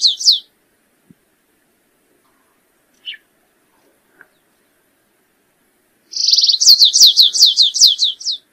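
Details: Stripe-tailed yellow-finch singing: after a few high scattered notes, a phrase opens with a short buzzy trill, then runs into a fast series of high, sharply descending slurred notes, about eight in under three seconds.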